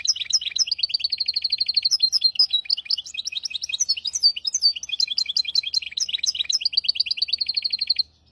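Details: Hybrid finch singing a tutor song meant to teach goldfinches and canaries: a fast, continuous stream of bright high trills and chirps, with rapid repeated notes at the start and end, sustained for eight seconds in a quiet room.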